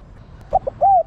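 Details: Female spotted dove calling to stimulate males. A brief fragment with two short hoots and a smooth, drawn-out coo.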